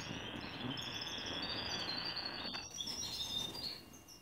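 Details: Young male canaries bred in 2019 learning song from adult tutor males in an aviary in Anapa, Russia, six tutors with 28 pupils: a dense, continuous chorus of high trilling and twittering phrases overlapping without pause.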